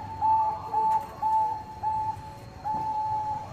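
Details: Bangkok-strain zebra dove in full song, a lure meant to prompt rivals to answer: a string of clear, level whistled coos, about two a second, each note sliding up at the start, with faint background hiss.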